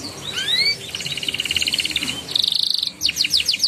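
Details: Canary singing ngeriwik and ngeroll phrases meant to coax young canaries into song: curving rising whistles, a rapid pulsed trill, a dense buzzy roll, then sharp downward sweeps over a noisy background.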